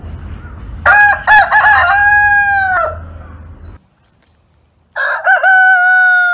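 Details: Cockerel crowing over a low background hum: a crow opens with stuttering, clipped syllables, then stretches into a long, bright note that sags at the end. After silence, a second crow begins with a dip and holds steady.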